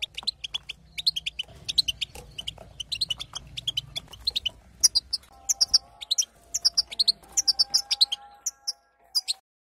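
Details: Female European goldfinch calling to make the male sing; dense run of sharp, high twittering chirps repeated in quick bursts, with a low background hum and faint steady tones in the second half.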